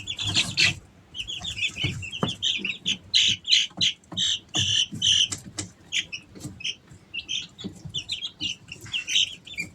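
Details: Three-week-old Easter Egger chicks kept at home in summer give loud high peeps in rapid runs, some drawn out and insistent, with taps and rustling between calls.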